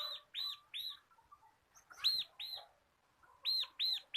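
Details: Local crystal bar-winged prinia, a cage bird recorded as a tutor to provoke singing, repeats short arched high chips in loose groups of two or three, separated by brief pauses with faint scattered twitters.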